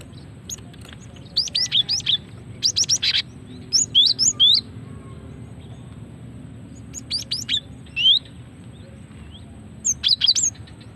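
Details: Female cinereous tit giving lure calls to provoke singing: clusters of two to four thin, high sweeping chirps recurring every second or two, with pauses between groups and a quiet background.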